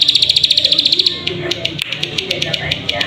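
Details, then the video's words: Plain prinia call played as a lure to prompt singing: a clear run of quick, piping high notes for the first second, then quieter, scattered clicks and soft lower background sounds. "Pancingan Burung Ciwah/Ciblek Sawah Agar Bunyi"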